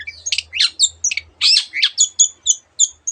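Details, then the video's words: Long-tailed shrike song rich in imitations of other birds, harsh scratchy bursts followed by a series of clear, high whistled notes repeated at an even pace. "cendet gacor masteran untuk burung yang susah bunyi banyak varian suara burung lainya"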